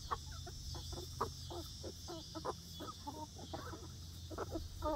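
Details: Young egg-laying hens of a new flock on their first day in a new outdoor backyard run, giving many short, quick clucks in overlapping chatter, with a steady low hum beneath.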